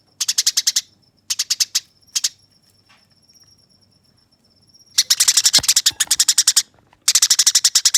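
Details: Eurasian tree sparrow in fighting song meant for training other birds, rough yet clear; short chirp bursts, a long thin steady whistle, then dense rolling runs of harsh chirps.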